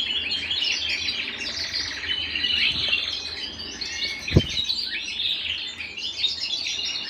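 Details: Canary singing indoors at home: a steady stream of fast trills and warbled phrases, high and bright, with a single sharp knock partway through.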